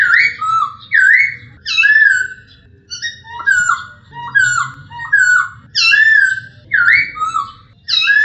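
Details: Masked laughingthrush singing a training recording for other songbirds: loud, slurred whistled phrases that fall in pitch, given in bursts about once a second with short pauses, over a faint low hum.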